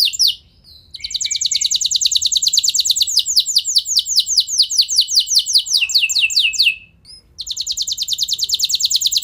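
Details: Singing canary, used to spur other canaries into long rolling song: after a brief chirp, a long fast high trill slows into sweeping downslurred notes, pauses, then resumes as a rapid trill.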